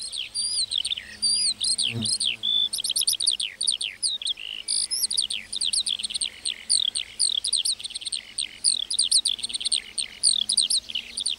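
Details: Meadow lark song: an unbroken torrent of very high, rapid chirps and slurred whistles, densely packed and hurried, with a faint low knock near the start.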